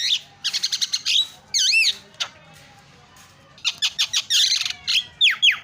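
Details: Javan myna, described as very chatty, in a recording meant to prompt silent mynas to sing: bursts of rapid harsh chattering notes, a looping rising-falling whistle, a lone sharp note, then more chatter and clipped downslurred whistles, with quiet pauses.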